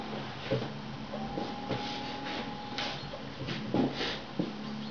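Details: Common chaffinch knocking on a window: sharp, irregular taps roughly once a second, each a dry click, over a low indoor hum.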